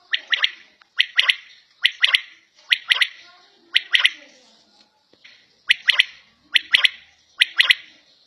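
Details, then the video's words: At home, a quail (batair) delivers crisp, high three-note phrases over and over, about one per second, with a brief pause midway and faint soft sounds between. "Battair Sound In Home"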